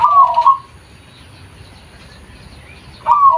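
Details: Local zebra dove, natural voice recorded for use as a lure: a rippling coo that opens the passage, a long silent gap, then the next trilled phrase starting at the close.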